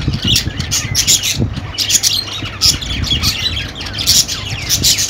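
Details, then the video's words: Budgies keep up busy, overlapping chatter: rapid harsh squawks mixed with thin rising chirps and quick warbled notes, dense and steady throughout, over a faint low hum. "Budgie Sounds for Lonely Budgies"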